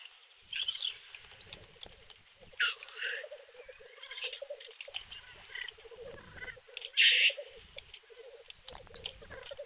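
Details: Black grouse lekking and fighting at a lek in Kuusamo, Finland, in May 2021; continuous low bubbling, cooing rookoo runs under loud sharp hissing sneeze-like bursts, with a few thin higher calls.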